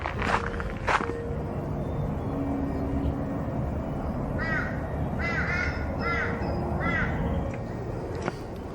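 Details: A crow at Wynnum Mangrove Boardwalk, Brisbane, Australia, gives four nasal, arched caws in quick succession, under a second apart, over a steady low rumble of distant traffic.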